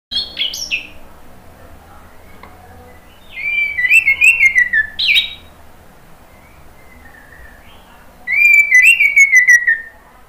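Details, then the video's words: Orange-headed thrush (anis merah) song used as a lure to provoke other thrushes to answer and to coax silent birds into singing. Three loud bursts of clear, descending whistled notes with chirpy accents, separated by quiet pauses over faint background hum. "SUARA ANIS MERAH bikin EMOSI jadi NYAUT NGEPLONG ¦ PANCINGAN AM ¦ TERAPI MACET"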